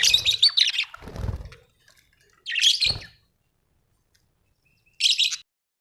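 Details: Budgerigars kept at home give three separated harsh, buzzy squawks, with low rustling or flapping sounds between them.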